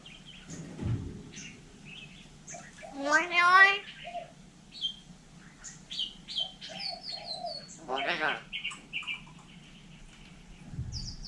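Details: In Vietnam, a hill myna mimics human speech with two loud, rich, voice-like utterances separated by a sequence of clear whistles and clipped high notes, and a low thud at the start and end.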